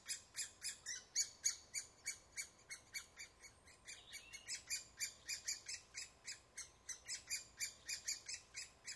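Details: Woodpecker near its nest producing a long, rapid stream of harsh, high chirping calls, some overlapping, about three per second. The calls soften briefly midway, then pick up again.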